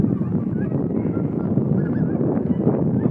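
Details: Short burst from a flock of Cackling Geese taking off fast, with thick low wing noise and several faint overlapping honks.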